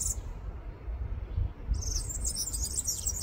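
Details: A black redstart gives a thin high note, then a dry, crackling, scratchy burst of song at Žale cemetery, Ljubljana, Slovenia, on 23 July 2024, over a steady low rumble of distant traffic.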